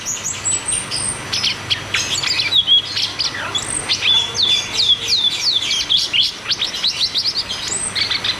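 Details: Cucak cungkok delivering a fast rolling song meant to coax caged birds into singing, with a long stream of high whistles, sweeping slurs and clipped chirps running without pause.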